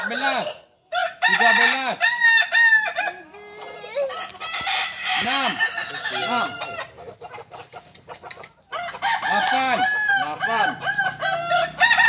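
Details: Kokok Balenggek chickens at a practice contest in Ampang Kualo, Kota Solok, with overlapping multi-syllable crows of looping, arched notes repeated in long stepped runs, plus clucking and other roosters crowing nearby.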